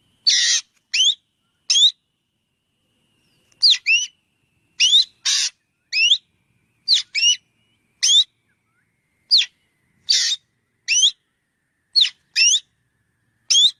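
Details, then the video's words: Black drongo calling: harsh, buzzy notes, each paired with a clear rising whistled note. They come in short groups of two or three, about twenty notes over fourteen seconds, separated by silent gaps. No other sounds. "suab ntseg ntshauv .tiếng chim chèo bẻo kêu"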